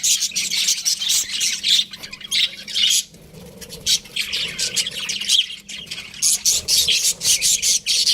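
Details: Budgerigars chatter in high, harsh squawks and rapid chirps, a brief lull near three seconds, then bursts of sharp, buzzy notes return in clusters through to the end.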